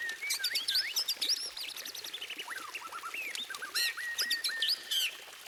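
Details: White-rumped shama, used as a tutor song for training birds, giving a varied, fast run of high whistles, slurred sweeps and rapid trills. The phrases shift constantly, with short pauses between, over soft background hiss.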